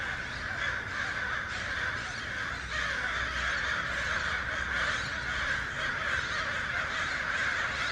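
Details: Crows and other birds making noise, a crowded wall of raspy caws with no pauses, individual calls barely separable, steady low hum underneath.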